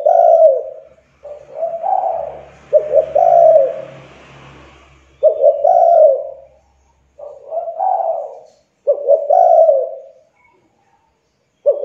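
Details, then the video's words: Spotted dove calling to lure other doves: repeated low, rounded coo phrases, each a few notes long, separated by one- to two-second pauses, with a faint hum underneath. "COBA PANCING DENGAN TEKUKUR INI AGAR CEPAT BUNYI"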